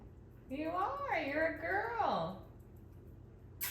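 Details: An eight-year-old female rescue African grey parrot, told she is a girl because she laid an egg, replies "oh come on". The short, expressive, human-like phrase rises and falls over about two seconds in a quiet room.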